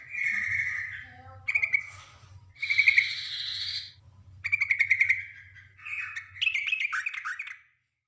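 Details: Yellow-vented bulbul, female, calling a male. A series of bright phrases includes steady whistles, a buzzy doubled note and a final bubbly chattering run, over a low hum that stops near the end.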